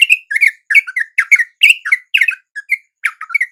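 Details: Yellow-vented bulbuls, wild birds answering a lure at dawn, give a dense burst of bubbly, clipped notes in quick uneven clusters, bright and slightly harsh, with no background noise.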